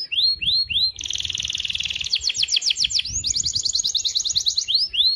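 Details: Singing canary, used to prompt other canaries to sing: arching whistled notes, then a dense buzzy trill, strong rolling trilled phrases, and a few final rising whistles.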